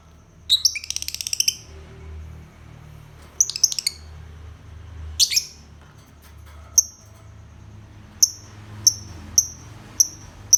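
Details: Lovebird vocalizing: several harsh, buzzy, rattling bursts early on, then a series of sharp, high single chirps repeated roughly every second toward the end, over a quiet indoor background with faint low rumble.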